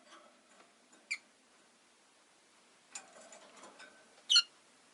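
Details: Pet rosy-faced lovebird on a calm afternoon: two short, shrill chirps several seconds apart, the second louder, with faint clicking and rustling in the pauses.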